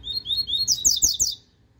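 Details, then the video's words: Double-collared seedeater singing in the cicopata song style: thin, very high whistled notes sliding upward, then a quick run of four bright, sharp chirps that ends abruptly, with little else heard. "COLEIRO CICOPATA X SERENA"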